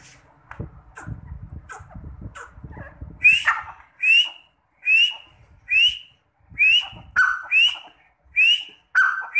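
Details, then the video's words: Partridge, kept among red and black partridges, gives loud, shrill whistled notes, each sharply rising then falling, repeated about every second after a few seconds of low rustling and faint background sounds. "Teetar ki awaz | Partridge sound"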